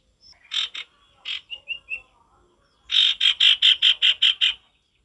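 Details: A male sirtu in natural wild-type song gives loud, harsh, high chattering notes: a few scattered bursts with short whistles, then a fast run of about eight rasping notes.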